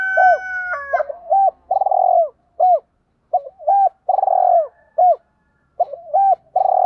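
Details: Spotted dove calling for training and luring wild birds: a steady tonal whistle at the start, then repeated phrases of short hollow coos and long rolling, throbbing coos falling in pitch.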